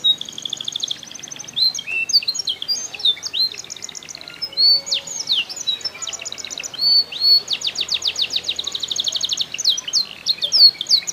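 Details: Canary from Comal, Pemalang, Central Java, Indonesia singing a fast, varied song of high whistled notes, rapid trills and buzzy repeated chips, with long rattling bursts in the second half.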